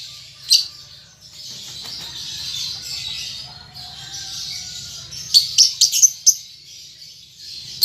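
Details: Young pet lovebird learning to chatter in the ngetik and ngekek styles. A steady buzzy high twitter is followed by a quick cluster of sharp clicking chirps, over a low hum.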